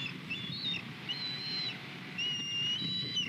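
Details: At a Skidaway nest cam on the morning of 21 February 2020, a male osprey brings a fish to his mate. Thin whistled notes arrive in quick runs, each slightly arched or flat and piping, with a low background hum throughout.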